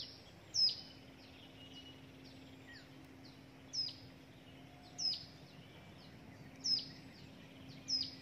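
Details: Hill prinia chick begging at the nest while being fed a gecko: six sharp, high, downward-slurred chirps about a second apart, plus softer faint chirps between them, over a quiet background hum.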